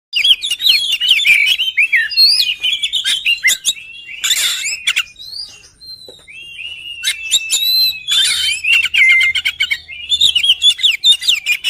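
An Oriental magpie-robin sings a rich, varied run of sweet whistled phrases, broken twice by short harsh, scratchy bursts, with brief pauses between phrases.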